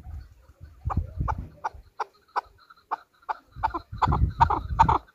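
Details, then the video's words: Hunter chukar, Pakistan's national bird: a steady run of sharp chuck notes about every third of a second, building louder toward the end, over a low rumbling background noise. "chakor ki awaz | Hunter chukar voices | Hunter Chukar sound"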